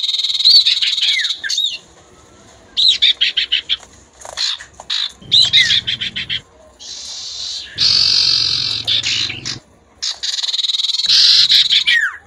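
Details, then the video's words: Common ioras, a lively singing bird and a female, trade high, clear whistles and sweeping notes back and forth, broken by bursts of the female's dry, rapid chattering. "sirtu/cipoh gacor bersahut-sahutan & betina nyrecet"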